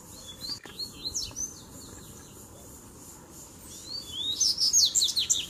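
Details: Double-collared seedeater (coleiro) song during a fighting duel as three birds arrive at once. Faint high twittered phrases at first, then a louder burst of rapid, buzzy, sliding notes near the end, over steady background hiss.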